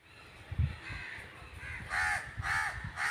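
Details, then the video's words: A crow gives three harsh, hoarse caws about half a second apart, after a stretch of low rumbling background noise. "Crow bird crowing sound"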